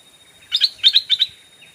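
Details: Decoy Stripe-throated Bulbul luring wild birds, giving three quick pairs of sharp, bright chattering notes within under a second, with quiet background.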